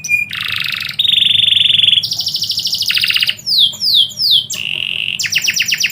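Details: Midday canary song: a brief high note, then a chain of fast rolling trills at shifting pitches, a run of falling swept whistles, and closing rapid clicking tours, all loud and continuous.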